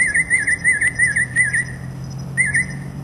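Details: Mockingbird song with mimicked sounds, here a steady series of about eight wavering, warbled whistles at mid pitch, a short pause, then the same warbled whistle starting again.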